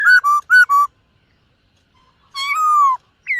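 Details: White-cheeked laughingthrush in morning voice-training song, singing while dancing: four loud, clear whistled notes alternating high and low, a pause, then a long falling whistle and a rising note at the end.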